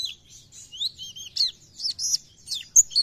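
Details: Energetic song of an Oriental white-eye (pleci), played to make other white-eyes sing: high, warbling, slurred whistles and sharp chips in short uneven phrases, clear against a quiet background.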